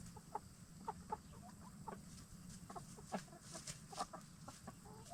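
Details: Free-range hens, Black Star and Bielefelder, gathered in a movable chicken tractor at nightfall; quiet, irregular clucks and murmurs scattered through the clip over a low background rumble.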